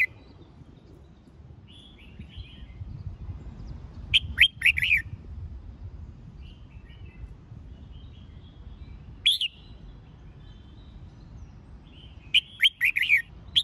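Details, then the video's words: Red-whiskered bulbul competition-training song: short bursts of quick, clear whistled notes repeated at irregular intervals over a steady hiss of background noise, with faint distant chirps between phrases. "Tiếng Chào Mào Dìu Bổi Lên Lửa !..Luyện Chào Mào Hót Đấu"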